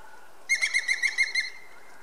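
Levaillant's woodpecker giving a quick laughing run of about seven ringing, evenly spaced notes over one second, over a faint steady background hum.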